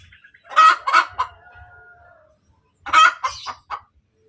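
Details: After laying, a hen cackles: a loud burst of rapid harsh clucks, a thin drawn tone in the background, then another burst of three to four clucks.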